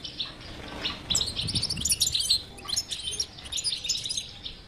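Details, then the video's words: European goldfinch song in the batbata style, meant to coax a silent goldfinch into singing: rapid tinkling twitters and short buzzy notes, busiest in the second half, with a faint low rumble underneath. "اذا لديك مشكله في حسونك انو لا يغرد لا تخاف هذه البتبته الحل وعلاج الحسون الصامت بتبته اجرام"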